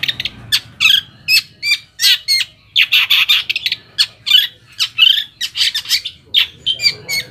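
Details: Long-tailed shrike singing, played as a lure to make other shrikes answer and get agitated: a steady run of harsh, scratchy chattering notes mixed with squeaky chirps, delivered roughly every quarter second with few pauses.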